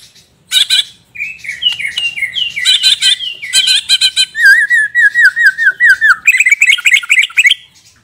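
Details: ['Borneo white-rumped shama in full, nonstop song with a lavish fill. Sharp chips and short whistles lead into a long run of rapid wavering, warbled notes at an even pitch. The run ends in higher rising twitters.']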